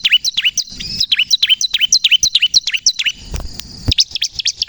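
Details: Crystal-type bar-winged prinia singing hard, used as a lure and to spur other prinias: steady train of piercing falling chips at a fast pace, a brief pause with low rumbling noise near the end, then notes continue.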